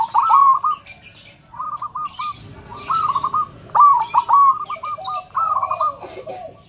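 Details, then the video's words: Zebra dove with a loud, mellow voice, used as a singing lure for other doves: repeated bursts of clipped coo notes, each phrase stuttering then rolling, about five phrases with a soft low rumble underneath. "Perkutut suara besar PULEN"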